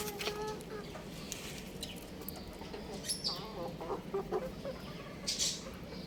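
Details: Young rooster on a roof, chirping: short harmonic calls open the recording, then rapid bent chirping notes around the middle, with scattered high clicks and rustling.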